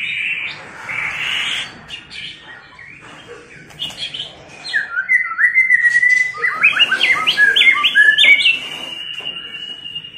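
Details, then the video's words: White-rumped shama in female tạch líu voice, aimed at stirring males to fight. Soft hissing opens, then a run of stepped whistles rises into a long, level whistled note. "Chòe lửa tạch líu giọng mái kích lửa"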